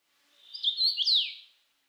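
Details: A single clear song phrase from a common rosefinch: a quick series of whistled notes rising in loudness, ending in a bright downward-sweeping slur, in an otherwise silent background.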